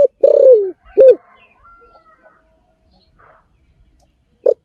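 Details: Spotted dove calling: a slurred, descending mid-pitched coo, then a short clipped coo about a second later, a quiet pause, and one more brief coo at the end.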